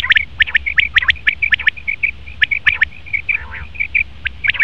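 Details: Male common quail calling: rapid series of short, bright clipped notes, often in quick clusters, with a few harsher squawky notes mixed in and a faint low rumble beneath.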